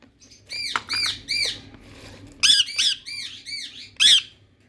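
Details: Indian ringneck parrot from India calling with repeated nasal, arched chatter notes and several sharp, harsh screeches, around two calls per second at times.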